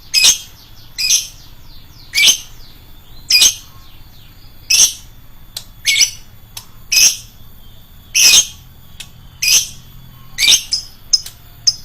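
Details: A lovebird repeats loud, harsh, high-pitched shrieks roughly once a second, with a few faint sharp ticks between them, as a shrill lure sound.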